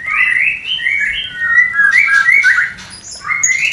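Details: Mating song of a white-rumped shama, played to raise breeding urge in a new, unproductive pair: rich rolling whistled phrases, sliding up and down, ending with a short rising note.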